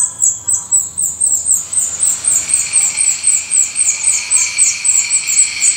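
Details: High, thin notes from a black redstart nest in Portugal pulse quickly and regularly, nearly four per second, over a faint steady tone and quiet background.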